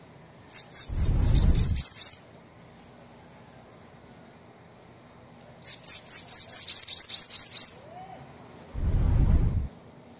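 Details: Bananaquit song to encourage a caged bird: two bursts of fast, shrill, buzzy notes with downslurred endings, about two seconds each, with low thumping handling noise during and after the phrases.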